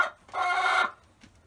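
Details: Hen inside a coop fitted with new nesting boxes: one brief, loud, nasal squawk lasting about half a second, ending abruptly, followed by a faint short note.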